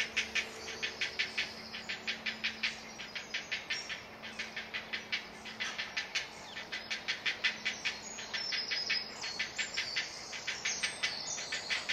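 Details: Hungry great blue heron chick crying for food at a nest in a heron colony in Delftse Hout woods, Delft, South Holland, the Netherlands: rapid harsh, dry clicking pulses, about four a second, kept up steadily throughout, over a faint low hum.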